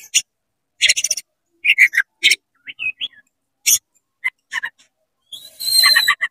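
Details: Oriental magpie-robin singing its rapid 'konslet' song, tail opened, to provoke other magpie-robins: scattered buzzy bursts and short whistles, ending in a loud sustained run of high rasping and trilling notes.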